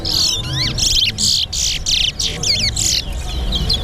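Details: Competition towa towa, the chestnut-bellied seed finch, from Linden, Guyana, delivering a whistling bout: a few clear slurred whistles followed by a rapid series of harsh buzzy phrases about every quarter second, while a person counts aloud nearby.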